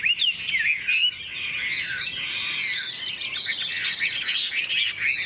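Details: Golden, big-tailed Hwamei singing in a contest with wing flicks; a few clear whistles open, then a dense, blurred torrent of overlapping warbled notes runs on without pause.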